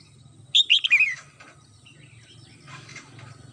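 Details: Red-whiskered bulbul kept at home, singing in the morning: a rapid run of five or six sweet whistled notes stepping downward, followed by quiet rustling and a low background hum.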